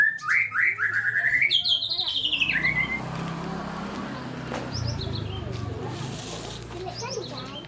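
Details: A wild Java sparrow sings actively: a rapid string of high, bright chipping notes that climbs and then slides down over about two and a half seconds, followed by faint scattered chirps.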